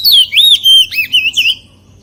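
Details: White-rumped shama singing in wild style, a loud fluid run of whistled notes that swoop up and down, several rising and dipping slurs in quick succession, then fading to quiet low background hum.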